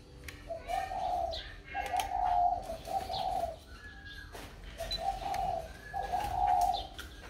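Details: Spotted dove, newly bought and placed in a box, still calling as usual: low, hollow coo phrases of several notes, one group near the start and another later, with faint higher whistles from other birds and background noise.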